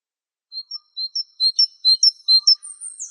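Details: Gelatik wingko (Java sparrow) in a tutor-recording compilation: a series of short, high, thin whistled chips and slurred notes, about a dozen in quick irregular succession, ending in a rising squeaky note.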